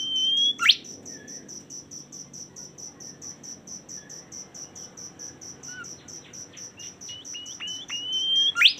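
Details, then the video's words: Bimoli song opening with a high whistle and sharp sweep, then soft quiet notes, building to stepped rising notes and another whistle with a bright flourish; crickets pulse continuously. "suara super mewah burung bimoli"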